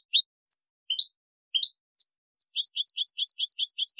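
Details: A European goldfinch on a tutoring recording for goldfinches and hybrids gives a few separate high chirps, then a fast, even run of paired tinkling notes, about eight a second, against a silent background.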